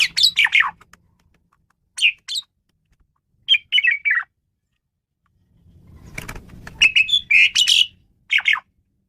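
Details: Lure recording of a male Asian pied starling: harsh chattering bursts and descending whistled notes in short phrases spaced by silences, with a brief rumbling noise midway.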